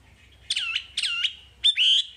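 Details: Wambi song in a masteran recording, with two looping, downslurred whistles and a rising note that flattens into a clear sustained whistle.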